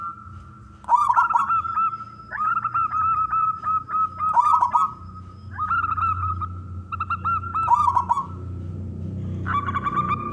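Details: Local zebra dove singing strongly to lure other doves: repeated trilled coos and stretches of clipped staccato notes at one pitch, with steady low rumbling in the background.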